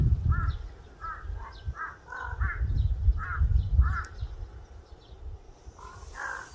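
A crow gives a run of harsh, nasal caws, about nine in quick uneven succession with a short pause near the end, over a steady low rumble.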